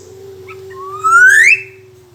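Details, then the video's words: A single loud, upward-gliding black-naped oriole whistle, rich in overtones and peaking sharply at its end, from a bird said to be in full voice. A constant low tone runs throughout. "suara burung kepodang emas gacor"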